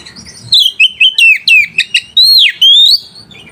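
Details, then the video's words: Song of a white-rumped shama meant to provoke rival birds and arouse mating: rich, fluty whistles sliding up and down, short staccato notes and long swooping phrases in a fast sequence. "PANCINGAN SUARA KACER PEMBANGKIT BIRAHI DAN EMOSI LAWAN"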